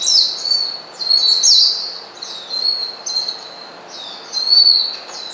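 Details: Oriental white-eye calling to a rival to provoke it: a series of high, thin slurred whistles, each followed by a brief twitter, repeated roughly once a second.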